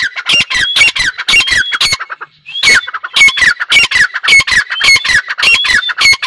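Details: Grey francolin pair in the 2021 breeding season, calling loudly: harsh, buzzy notes repeated rapidly in a steady run, with one brief pause near two seconds before the series resumes just as strongly.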